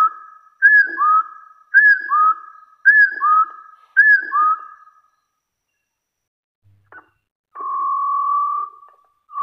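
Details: A hill partridge gives a fighting challenge call: four clear two-note whistles, a higher note then a lower, rising one, about once a second, followed by a long, level whistle.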